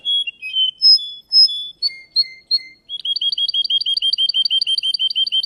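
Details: Russian canary in a singing contest: a few loud separate whistles and falling notes, then a steady rapid trill of crisp repeated chirps carrying on for several seconds.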